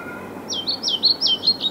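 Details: Song of a European pied flycatcher recorded 6 May 2012 in Viertola, Vantaa, Finland: a rhythmic series of about six high, sweet, down-slurred two-part notes repeated quickly and evenly, growing slightly louder, over a quiet background.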